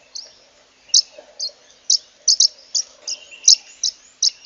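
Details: Zebra waxbill (Amandava subflava) singing: short, high, sharp chirps at irregular intervals, about ten over four seconds, against a quiet background.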